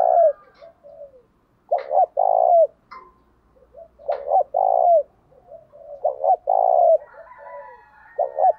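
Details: Provocation song of a spotted dove: repeated phrases of quick coos ending in a longer mellow note, roughly every two seconds, with gentle falling coos and faint background whistles.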